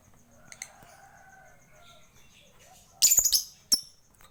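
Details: Lovebird singing in a lively chattering style, used as a master recording to prompt other birds to sing: after faint background sounds, a short burst of harsh, high, rapid chattering notes ends with a single sharp chip.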